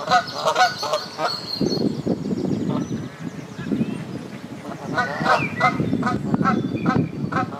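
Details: Canada geese bathing on the South Pond in Midhurst, West Sussex, England: bursts of nasal, harmonic honks at the start and again near the end, with steady splashing water between them and faint high chirps.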